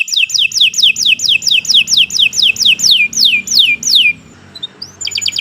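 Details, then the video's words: Canary singing a loud, nonstop master song used to train other birds: a run of about fifteen quick descending whistled sweeps, then a brief pause and a bright rapid trill starting. "Kicau Burung Kenari 139 II LUAR BIASA GACOR PANJANG Cocok untuk Masteran"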